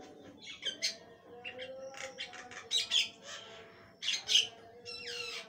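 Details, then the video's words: Javan myna in full song gives harsh, squawky, chattering bursts in loose phrases roughly every second, over a faint steady low hum. "jalak kebo gacor, suara mewah gk ada duanya"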